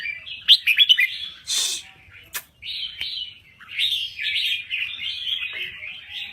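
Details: Red-whiskered bulbul, Thai type, in full vigorous song: a quick run of sharp notes opens, then sharp clicks, then a steady stream of bubbling, warbled chatter to the end.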